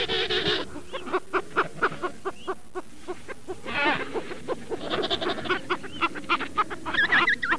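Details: Penguin voices in a steady series of short, clipped honking pulses broken by drawn-out, quavering braying calls, more than one bird overlapping, with brief high chirps toward the close.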